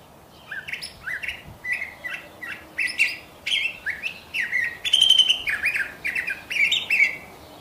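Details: Continuous song of a curve-billed thrasher, a rambling sequence of short whistled and buzzy phrases, some rising, some with a clear steady tone, loudest toward the fifth second; no other clear sounds.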